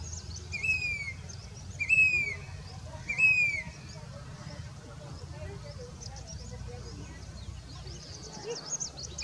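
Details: Grey-bellied cuckoo, also called Indian plaintive cuckoo, a monsoon migrant at Danta Ramgarh, Sikar, Rajasthan, India, in July 2021. Three clear whistled notes come about 1.3 seconds apart, each bending slightly. Faint high chirps and rural background noise follow.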